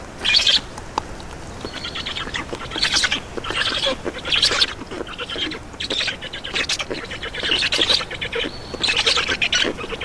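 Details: Black stork nestlings in Estonia calling for food during feeding at the nest, 2 June 2019, afternoon; separate bursts of harsh, scratchy squawks every second or two, with quieter stretches between.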